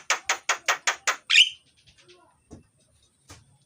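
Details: Myna (jalak) in loud, busy song meant to coax lazy mynas into singing: six harsh, broadband rasping notes in quick even succession, then a brighter buzzy note, followed by sparse faint clicks.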